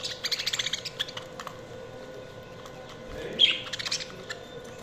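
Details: Budgies give a short run of rapid ticking chirps at the start, then a quieter pause, then a louder squeaky chirp and a few scattered chatter notes over a steady hum.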